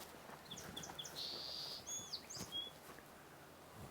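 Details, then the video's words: A Song Sparrow on the waterfront at Sargeant Bay Provincial Park on a breezy spring morning sings a quick, varied phrase of bright chips, a sustained buzzy note, then a few sharp notes, over soft background hiss. "Here's the song sparrow here that we hear."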